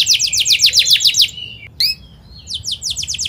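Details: Energetic canary rolling song, played to coax young birds to learn; a quick bright trill, a gap broken by one sharp upslurred note, then the trill returns.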